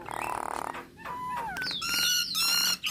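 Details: Nias hill myna singing, a recording used to set starlings singing: a buzzy burst, then clear pure whistles sliding downward and long high whistled notes with harsh overtones.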